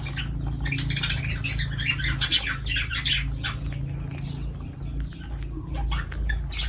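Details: Pet lovebirds at feeding time give a dense run of shrill, scratchy chirps and squawks, several overlapping, over a steady low hum.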